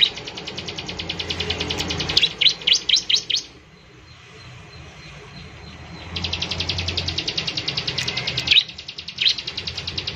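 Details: Bar-winged prinia in lively song, used to prompt other birds to sing: fast buzzy trills of rapid ticking notes, broken by a few sharp descending chirps, pausing, then resuming the dry rattling trill.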